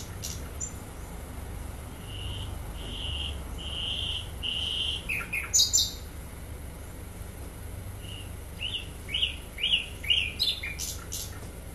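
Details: Flycatcher called sikatan londo in vigorous song: drawn-out whistled notes repeated about every second, then a burst of sharp high chirps and rising trills, a pause, and another lively chirping phrase; faint low hum throughout.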